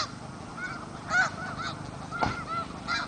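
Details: Snow geese at the Richmond Dyke, heard at some distance: separate nasal honks, often in quick pairs, over a soft background murmur of more geese and low rumble.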